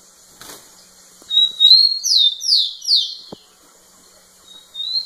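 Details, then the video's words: Male rufous-collared sparrow singing persistently close to a female; one song of a sustained high whistle followed by three sharply descending slurred notes, then a new song begins, with a faint click. "Tico tico cantando muito na cara da fêmea"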